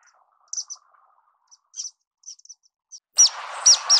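An orange-cheeked waxbill sings thin, high chirps and short buzzy notes, ending in a louder burst of sharp rising whistles over a brief rush of noise.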